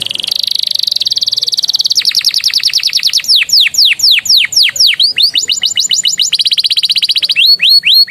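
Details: Canary master song with Javan tesia and bar-winged prinia phrases, very clear and loud: fast high trills give way to bold, downward-swept whistles, then more rapid trilling and looping rising notes at the end.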